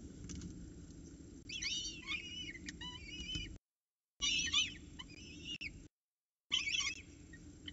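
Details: Peregrine falcons at Orange CSU, 7:07 am on 26 October 2019, as the male brings breakfast and the female feeds the chicks: bursts of high, harmonic squealing calls around 1.5, 4.2 and 6.5 seconds, separated by breaks of silence, over low background hum.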